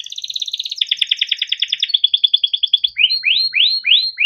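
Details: Yellow Timbrado canary song: fast rolling trills that step down in pitch, ending in a series of rising swept whistles about three per second.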